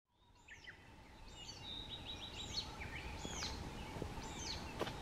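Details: Blue-and-white flycatcher singing repeatedly from the top of a pine tree overhead, Kobe, Japan, 1 June 2020. Clear whistled phrases with sliding notes and short trills, one roughly every second, over a steady faint hum.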